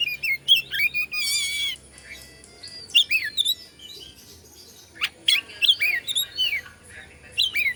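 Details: White-rumped shama, kept to provoke and excite other shamas, sings varied phrases of whistled notes and rapid swooping trills with loud bursts and short pauses; a faint low hum underneath.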